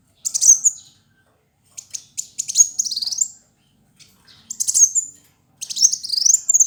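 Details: Kolibri wulung sunbird, a male of fighter type singing vigorously: repeated bursts of high scratchy chips and rapid sliding whistles, phrases a second or two long with short gaps.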